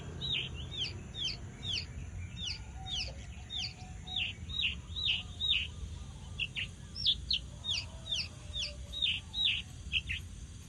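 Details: Javan bush lark pouring out a long, rapid series of high paired chirps, each note quickly falling, repeated two or three times a second with brief breaks, over low background noise.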